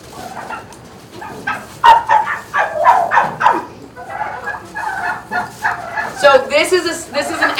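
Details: Rescued turkeys in a barn at a farm sanctuary in Upstate New York, an angry turkey calling: harsh, broken bursts of rough, rattling notes coming in rapid uneven runs, with louder gobbling-like clusters toward the end.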